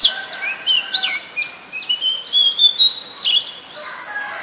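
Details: Oriental magpie-robin in Ubon Ratchathani, Thailand, 7 January 2021, a very common resident: varied sweet whistles and short slurred phrases, some notes rising sharply, with a faint lower bird call behind.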